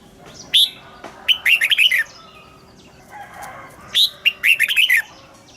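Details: Red-whiskered bulbul morning double-note song for training caged birds: two lively bursts of rapid, bright, bubbling notes, each opening with a sharp upslurred chirp, with faint twittering between.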